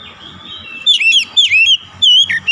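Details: Oriental magpie-robin delivering three short bursts of sweet whistled notes with sliding downward inflections over a faint background hum.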